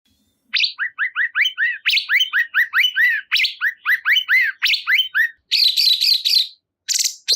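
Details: Cungkok bulbul singing a fast chattering series of bright, down-slurred chirps repeated about three per second, shifting to higher buzzy notes toward the end, with no background noise.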